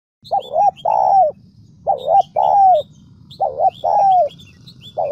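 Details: Spotted dove from the Central Highlands of Vietnam, a decoy bird trained for calling, giving loud cooing phrases: a short double note followed by a longer falling coo, repeated about every second and a half; faint chirps of small birds above.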